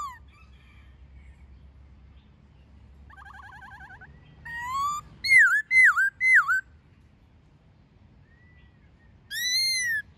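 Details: White-cheeked laughingthrush forest-voice song with female calls, used to train caged birds: quiet opening, a soft trilled passage, a rising whistle, three sharp dipping notes, then after a pause a long arched whistle.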